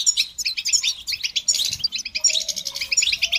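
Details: Rapid goldfinch twittering for training birds. Clear high chirps and tinkling notes come in close, lively bursts, while a faint, steady lower whistle sounds in the second half.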